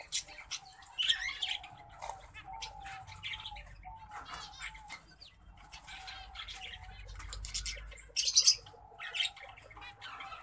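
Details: Orange breasted black faced male zebra finch paired with an Isabel female; scattered nasal buzzy calls and short chatter, fainter, with wing flutters and a low background hum.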